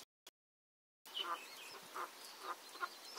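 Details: Cheer pheasant pair with their newly hatched chicks; soft, low clucking notes come roughly every half second, with fainter higher whistled sounds between them, after a short near-silent opening.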